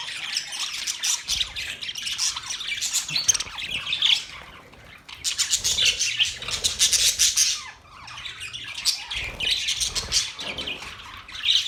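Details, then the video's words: Budgerigars chatter in three dense bursts of high scratchy warbling and squeaks, separated by brief quieter pauses, with some wing flutter. "Budgies chirping sound"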